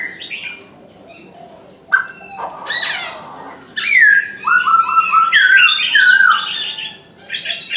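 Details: Morning calls of a Chinese francolin. A harsh squawking burst comes first, then a loud run of rapid, ratcheting, stepped syllables that rise and fall. Faint high chirps are heard in the background.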